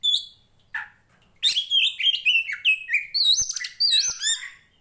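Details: Oriental magpie-robin, a poci Tretes kacer fighter, for mental training of birds of its kind; a couple of isolated notes, then from about one and a half seconds a loud rapid stream of whistles and wavering trills.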